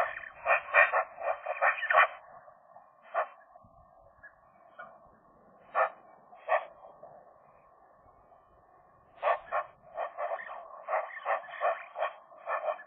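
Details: Magpies flirting, voicing and singing inside the nest in January, a young couple in winter: rapid runs of harsh, chattering notes, a quieter gap, then another fast stuttering series, over a low hum.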